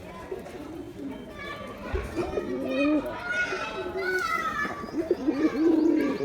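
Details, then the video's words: Male Giribaz pigeon performing, giving low throaty coos in rolling bursts that strengthen toward the end, with thin higher chirps from other birds and faint voices in the background. "Pigeon Sound Effect || Male Pigeon Super Performance || Giribuz Pigeon"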